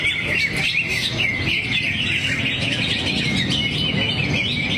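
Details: Singing in the 'teler' style, a greater green leafbird runs through its repertoire: a nonstop stream of sharp chirps, squeaky notes and fast trills, sometimes louder bursts, set against a constant low-pitched background noise.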